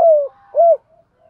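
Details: Spotted dove coo used to stimulate captive birds in training: a drawn-out low note that slides slightly downward, followed by one short arched hoot, with faint soft murmurs afterwards.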